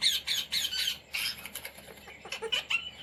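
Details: Indian Ringneck parrot kept at home and taught to talk: a string of rapid harsh squawks about four per second, fading into softer scratchy chatter.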